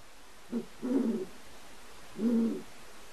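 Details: Captive pair of non-releasable great horned owls in a large aviary, recorded during copulation as part of a vocal study; the male squeals and the female chitters. Three low, raspy bursts, a short one followed by two longer ones.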